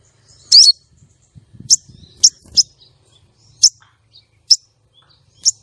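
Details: Female common iora calling to draw in and arouse male contest birds. An opening scratchy burst is followed by a string of crisp, high single chirps at irregular gaps, with faint low thuds between.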